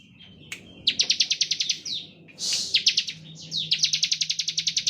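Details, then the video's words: Bar-winged prinia (ciblek) in lively ngebren-style song, used as a lure to provoke other prinias to sing: bursts of rapid, buzzy, evenly pulsed high notes, about twelve per burst, separated by short gaps and brief slurred chips. "Ciblek gacor ngebren standar - Pancingan untuk ciblek"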